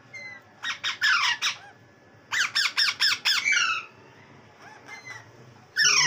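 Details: Baby parrot that is not eating its food, calling with harsh, harmonic squawks in quick bursts: a run of four, a pause, then five more, followed by softer short calls and a loud squawk at the end.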